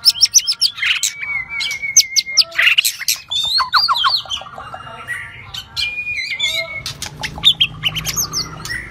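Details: Shrimp-tail White-rumped shama giving rít thuốc lào song: fast clusters of bright whistles and clicks broken by level held notes, with sweeping slurred phrases and harsher chattering bursts throughout.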